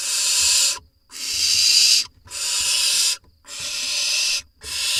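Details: Parent barn owls bring voles to a nest box in Israel on 4 July 2021; broad, breathy hissing bursts come one after another, five in about five seconds, separated by short silences.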